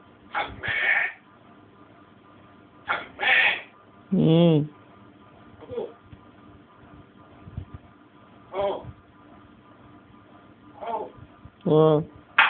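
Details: Pet African grey parrot indoors mimicking human words in Persian, short speech-like bursts of varied syllables, some nasal and buzzy with stacked tones, separated by pauses of one to three seconds, quiet room between utterances.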